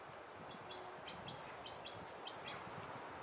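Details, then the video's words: Great tit singing in autumn, loud and crisp: bright high two-syllable whistles, a short upper note then a flat tone, repeated about six times against a quiet background. "Пение синицы"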